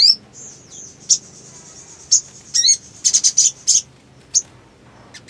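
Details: Black sunbird (sogon) in breeding condition, full 'ngleper' singing: a thin high whistle line broken by sharp chips and a quick burst of clustered notes, with a buzzy rattled element.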